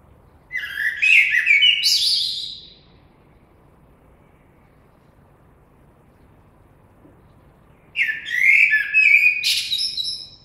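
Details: Blackbird song with long pauses: a fluted, descending warble capped by high scratchy twitters, then about five seconds of silence before a similar phrase with a sharp rising squeal.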